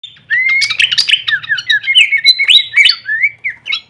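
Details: Horsfield's babbler song used as training audio for songbirds, full of variations: a quick run of clear whistled notes sliding up and down, mixed with sharp chirps, about three notes each second.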